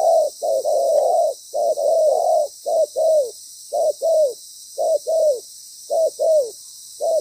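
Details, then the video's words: Spotted dove decoy, loud with a proper song pattern, used in ground-bait trapping; rapid series of low, slightly falling coos grouped in twos and threes, about one per second, against a steady hiss. "Bổi lớn tiếng,chim bài bản"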